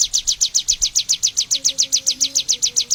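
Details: Bar-winged prinia, a bird endemic to Indonesia, singing a steady series of sharp high chirps, each sweeping quickly downward, about five or six per second, with a faint low hum underneath.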